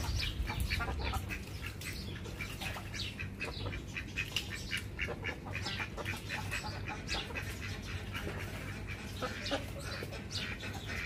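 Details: Ducks calling in a busy run of short, harsh, broadband quacks, repeated rapidly and overlapping throughout, above a steady low mechanical hum.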